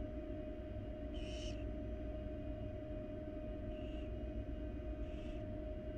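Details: Wild barn owls, a mother and young, filmed in a research-monitored nest box; three brief rasping hisses spaced one to three seconds apart, the first strongest, under a constant droning electrical hum.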